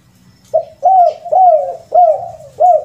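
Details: Spotted dove, known locally as tekukur, giving a rare lure call with kuk 2 and kuk 3 endings: four low, mellow coos, each rising then slurring down, spaced under half a second apart, with faint low hum beneath.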